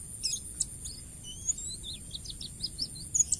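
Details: Wild forest white-eye's varied master song: soft, high, falling chirps in a quick, even series with scattered sharp clicks, over a continuous high hiss and low background noise.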